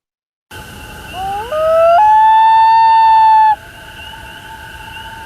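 A Common Loon gives a long, pure, mournful wail that steps up in pitch, then holds one steady note for about two seconds.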